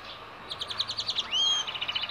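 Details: Song of a goldfinch hybrid: a run of quick, evenly spaced high chirps, then a clear whistle that sweeps upward and holds, then a fast trill of short bright notes over faint background noise.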